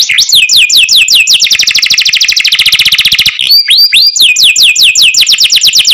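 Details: Canary singing cenkok-style song, strong and clear: sweeping falling whistles give way to a long rapid trill, then rising looped notes and more quick descending sweeps repeated in series.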